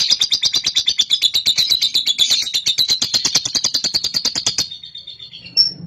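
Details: Paud cobalt lovebird giving its long ngekek, used to encourage another lovebird to sing: a fast rattling chatter of harsh pulses, about three per second, running nearly five seconds before stopping, then a single sharp chip.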